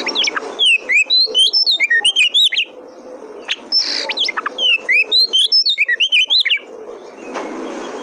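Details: Oriental magpie-robin (kacer), a territorial fighter bird that sings when a rival enters its territory, recorded as a lure to get young birds singing. Two long bursts of rapid, varied whistles and chattering notes, split by a short pause, over low background noise.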